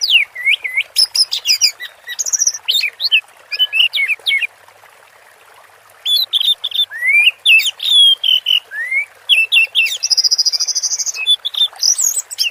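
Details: An orange-headed thrush sings 'teler' style: rapid clusters of sweet whistles and upslurred notes, a short break near the middle, then more phrases including a buzzy rattling trill.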